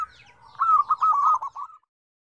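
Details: Zebra dove song from a lively set of five tone combinations: one clear phrase of rapid, bubbling coo notes running just over a second, ending in a short separate note, then silence.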